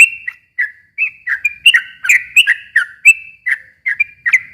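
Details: Sooty-headed bulbul singing a long rapid song meant to lure a quiet bulbul into replying. Short liquid whistles dip and rise in a chattering run, with brief pauses between bursts.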